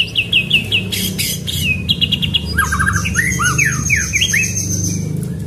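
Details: White-rumped shama training song in the pastol style with rolling 'shot' rhythm: a row of short high whistles, harsh bursts, then looping slurred notes over a low steady hum.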